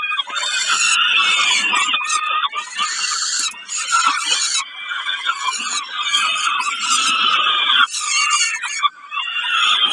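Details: Grating, insistent squeals from a peregrine falcon during a snack at Kawęczyn on 20 May 2022, in long bursts separated by short breaks, with a sharp click near the end.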